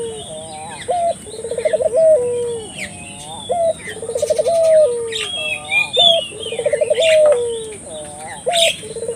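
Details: Barbary dove in vigorous calling, played to stir local doves into calling; low coos with rapid rolling tremolo phrases repeat about every two to three seconds, while small birds chirp higher over a constant high hiss.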